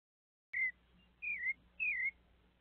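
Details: Sabiá (thrush) visited by a little monkey: three clear whistled notes, each a short slurred phrase dipping and rising, spaced about half a second apart against a quiet background with a faint low hum.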